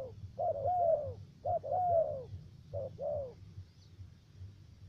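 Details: Spotted dove used as a trapping decoy in Khánh Hòa commune, U Minh, Cà Mau, Vietnam, with a three-note voice: three low coo phrases of short note plus long falling note, then quiet.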